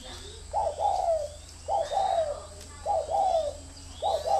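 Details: Spotted dove kept as a decoy bird, giving low, hoarse coos in paired phrases. Each phrase is a short note then a longer, slightly falling one, repeated about every 1.2 seconds with a steady background hum.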